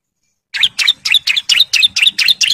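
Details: Male bar-winged prinia in breeding condition singing to call females in ngebren style: nine loud, clear, high chirps in quick, even succession over two seconds after a brief silence.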